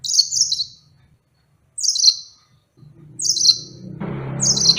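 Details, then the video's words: Yellow-fronted canary giving short, high, sweeping song bursts about every one and a half seconds, with a low hum and rising rumbling background noise near the end. "Enchanting Sounds Tropical Bird Calls to Relax finch Serinus mozambicus"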